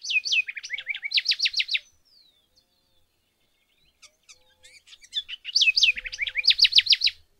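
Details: House wren singing at Alto San Miguel: a rapid series of bright, looping whistled notes repeated in quick succession, a quiet gap with a few soft chips, then the same bubbly looping phrase again.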